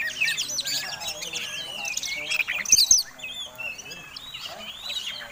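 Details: Oriental magpie-robin fighting song meant to provoke rival birds, a rich stream of warbled, slurred whistles and quick trills in a high register, busiest near the middle.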